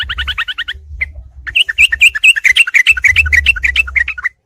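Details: Yellow-vented bulbul, part of a combined night-time training recording to make songbirds combative: a quick series of paired chirps, a pause, then a rapid tumbling run of bright warbled notes over a low rumble.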